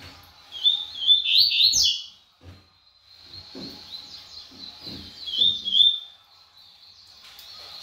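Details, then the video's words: Double-collared seedeater in brown plumage, quick and spirited: a rapid jumble of high twittering phrases opens the recording, a softer high trill follows, and a second burst of bright notes comes near six seconds. "COLEIRO PARDO GUMP MOSTRANDO SUA VELOCIDADE"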